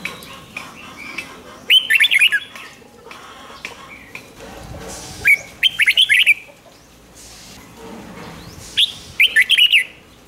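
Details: Red-whiskered bulbul, 'rik' song used to excite caged birds: three loud, fast warbled phrases spaced three to four seconds apart, each led by a short upslurred note, amid softer scattered chirps.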